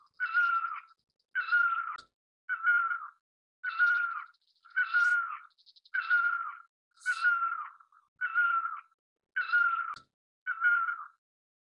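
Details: Great barbet (Psilopogon virens) repeating a plaintive, meow-like note roughly once a second, about ten times in an even rhythm. Each note slurs slightly downward. Light clicks and soft chips occur in the gaps.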